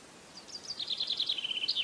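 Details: A common chaffinch song phrase: quick, high notes step steadily downward into a fast trill and finish with a sharp upward flourish.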